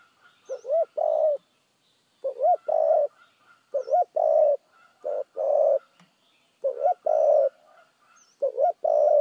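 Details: Spotted dove cooing in a fast, very correct style: five low, hollow two-part phrases, a short rolled note and then a longer steady coo, repeated about every two seconds. Faint high chirps of other birds sound in the background.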